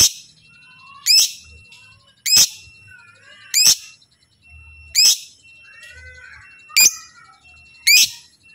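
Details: Lovebird sounding off repeatedly so other lovebirds join in: a steady run of seven piercing chirps about 1.2 seconds apart, separated by softer gliding whistles and chatter.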